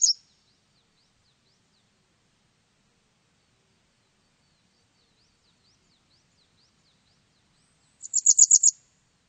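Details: Japanese wagtail, 2020: the tail of one high note burst at the start, faint light ticks in between, then a rapid run of about six sharp, very high notes near the end.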